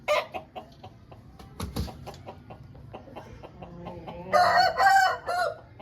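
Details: Aseel rooster kept at home gives a strong raspy crow near the end after a run of soft clucks, clicks and scratchy noises.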